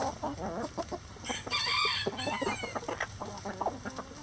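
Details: Rooster crowing in a busy chicken coop: one loud harmonic crow at mid-clip, set among fast, repeated clucking from several chickens throughout.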